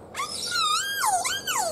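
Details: In a captive aviary, a kea gives a warble, a rich, wavering, whining call under two seconds that rises, swoops sharply down, then lifts and falls again. The warble is heard during play, spreads between birds, and is likened to laughter.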